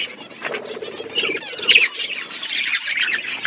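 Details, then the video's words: Budgie flock feeding on winter foods, a busy wash of high chirps and scratchy warbles from many birds, louder bursts around the middle. "Beautiful budgies flocks Budgies parrots winter foods"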